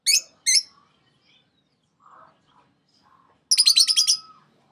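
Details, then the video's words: A six-month-old pet Sun Conure, kept next to Blue Budgies and lovebirds, gives two loud, harsh screeches, then soft chatter and a rapid burst of about six grating squawks near the end. "Sun Conure"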